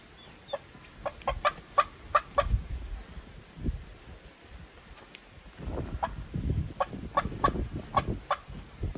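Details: Turkey on a farm giving short, sharp clucks, scattered at first and then in quick runs, with low thumping and rustling noise between the notes.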